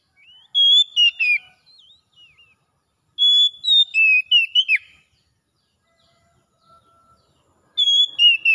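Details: Ngalas song of an Oriental magpie-robin, a therapy recording for birds that have dropped their singing: three whistled phrases separated by pauses, each fast and varied with slurred ups and downs, soft twitters between.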